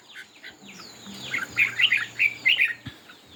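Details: Competitive singing by a red-whiskered bulbul with fanned tail: soft notes build into a fast, bright, loud run of bubbling warbled phrases, about four per second, over faint hum.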